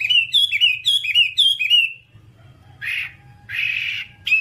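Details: Whambie song recorded as a master track for training other whambies: a rapid series of bright, sharply rising-and-falling whistled notes for two seconds, then a pause and two buzzy, rasping bursts with a short note at the end.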